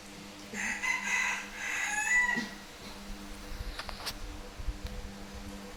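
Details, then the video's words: A rooster crowing at noon in Vietnam, a fairly distant, moderately loud crow of about two seconds in two broken phrases, followed by faint clicks and background noise. "Tiếng gà gáy trưa"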